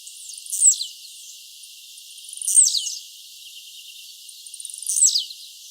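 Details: Free blue-black grassquit in nature singing three times, each an explosive high buzzy note falling sharply in pitch, repeated roughly every two seconds, with faint ticking between.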